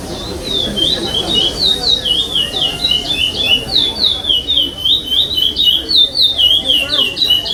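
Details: Competition chestnut-bellied seed finch, fifth-place bird at the eighth state stage of 2021, delivering pardo-style song without repeats: quick, jerky whistled notes rising and falling in an unbroken run, over low background chatter from people.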